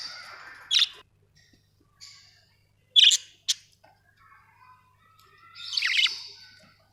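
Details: Budgerigars, several birds, giving a few isolated sharp chirps and a short buzzy warble, separated by quiet pauses, ending in a longer scratchy chatter.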